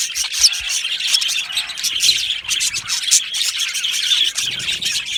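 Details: Aviary colony of budgerigars chirping happily, a steady jumble of squawks, squeals and scratchy warbles from many birds with brief clearer warbling notes early on.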